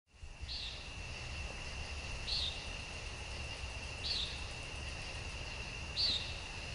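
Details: On a summer evening, 19 August 2014, a common nighthawk gives short, nasal, buzzy peents about every two seconds over a steady insect drone.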